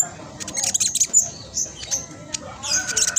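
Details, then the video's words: High-pitched, fast twittering from a caged spotted black sunbird, kept as a master bird to coax other black sunbirds into singing; short bright chips cluster in quick bursts. "Blacksunbird trotol gacor prospex cocok buat pancingan burung macet malas bunyi"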